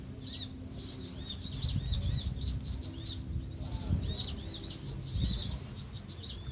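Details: At Pulau Perhentian, Terengganu, Malaysia, in June 2017, a Van Hasselt's sunbird colony gives a steady chatter of sharp, high twittering notes in short bursts, over low rumbling background noise.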